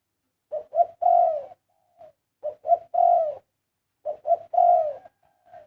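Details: Zebra dove song phrases called 'karam': three rounds of two quick rising coos and a long trilling, gently descending coo, each ending with a soft faint note; no other sounds.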